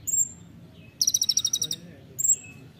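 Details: Olive-backed sunbird, a training recording for songbirds, giving a rapid burst of high buzzy trilled notes lasting under a second, between brief thin whistled notes.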